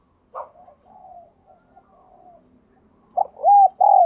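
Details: Spotted dove used as a decoy bird, calling: faint, low murmuring coos early on, then a loud closing phrase of a short note and two mellow, arched coos, the last drawn out and falling.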